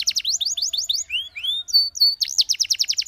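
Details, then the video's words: Singing Belgian canary, for boosting canary confidence in training: quick high trill, then two rising slurred whistles and a level piping note before the rapid trill resumes. "Belgian Canary Singing That Boosts Canary Confidence"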